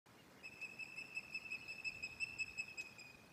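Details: Resident female Osprey at Loch of the Lowes, Scotland, on 11 May 2024, calling on arrival at her nest around 18:30; a steady series of thin, high whistled notes, about three per second, over quiet background.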